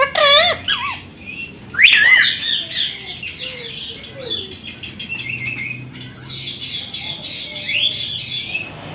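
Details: Pet Indian green ringneck parakeets together at a mirror indoors: a loud sweeping squawk and wavering whistles early, then softer continuous high chatter with scattered chirps.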